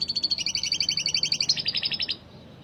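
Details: Canary song used to tutor lovebirds: a fast, regular rolling trill of high, sharp notes, about eight pulses a second, holding steady for two seconds before cutting off into quiet background hum.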